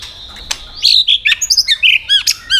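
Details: White-rumped shama, a caged bird stirred to competitive singing: rapid rich whistles and sharp squawky notes, rising and falling phrases delivered in quick succession.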